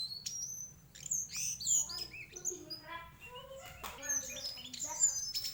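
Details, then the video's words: White-throated flycatcher in varied song: sharp high whistles and quick chirps alternate with lower, slurred warbling notes and brief rattles, delivered in a fast, nearly continuous stream. "Sikatan kerongkongan putih bunyi variasi"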